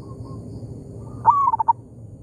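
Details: Zebra dove, a local bird in an oil palm plantation answering a decoy: one phrase of a short rising note followed by a rapid string of clipped, bubbling coos over quiet background hum.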